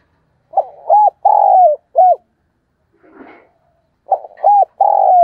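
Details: Spotted dove used as a decoy bird, cooing in the morning: two low hollow coo phrases, each two short notes, a long drawn note and a short closing note, with a faint rustling burst between them.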